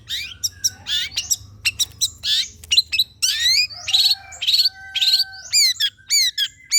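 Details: Long-tailed shrike song played as a lure to prompt shrikes to sing: fast mixed chatter of clicks and rising slurred whistles, ending in several clear upward-sweeping whistled notes repeated in quick succession.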